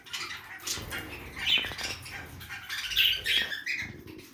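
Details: Budgerigars feeding in a backyard aviary: overlapping bright squawks and chirps near the top of the range, with louder bursts around one and a half and three seconds and soft rustling beneath.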